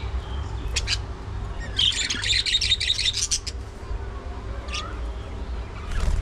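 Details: Budgies at early morning feeding time: a dense, buzzy, scratchy warble lasting about a second and a half, framed by short chirps and a rising whistle, over a steady low hum.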